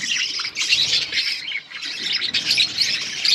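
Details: Budgerigars chirping while feeding chicks during breeding; dense, continuous high chattering and squawky chirps with brief pauses near the middle.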